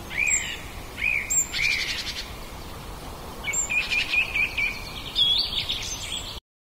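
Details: Common blackbird in a back yard, captured on a Zoom H2n portable recorder, delivering a series of clear fluted phrases, each ending in a brief twittering flourish, with a constant hiss of background noise behind.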